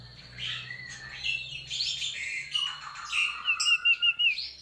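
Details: Sooty-headed bulbul in active, varied song. Mixed warbled and whistled notes lead into a series of quick, evenly spaced chirps toward the end, over a low hum in the background.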